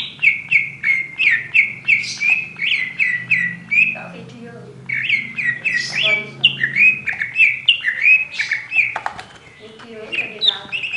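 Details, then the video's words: Oriental magpie-robin in ngobra song, repeating a bright rising whistled note about every half second in quick runs, broken by a buzzy rattling passage, over a low background hum. "KACER POCIKU NGOBRA NGOBRA"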